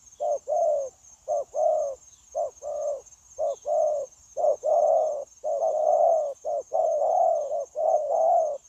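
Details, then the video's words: Persistent cooing from a spotted dove kept as a trapping decoy: repeated low, soft hoots in uneven groups of two or three, about one per second, over a steady high-pitched hum. "Bổi Quá Chịu Gù | Nết gù liền lạc liên tục"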